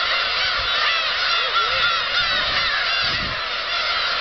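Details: Black-tailed gulls at Kabushima, recorded 13 March 2016 as a flock takes off: a dense, continuous chorus of many overlapping mewing, honking cries with no pause, a steady din of countless birds calling at once.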